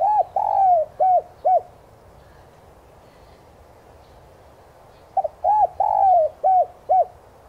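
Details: ['Spotted dove lure call meant to provoke captive doves to coo. Two phrases of deep rounded coos: a stuttered start, a long slurred middle note and two short closing coos, separated by about three and a half seconds of quiet.']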